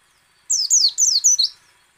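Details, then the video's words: Ngecal, ngalas and nembak singing by a white-eye (pleci), aimed at triggering song in other white-eyes: four crisp, rapidly descending chirped notes in about one second, each sharply separated. "PLECI ngecal, ngalas dan nembak AMPUH memancing pleci buka paruh."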